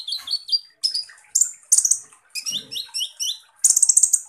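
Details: Van Hasselt's sunbird, kolibri ninja, in rough-shot song: quick upslurred whistled chips in runs, mixed with bright high rasping bursts and ending in a long grating buzz.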